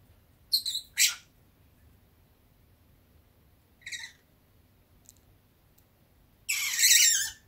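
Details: Pet peach-faced lovebird dozing in warm weather utters a few short scratchy chirps and squeaks, then a longer harsh rasping chatter near the end, with quiet gaps between.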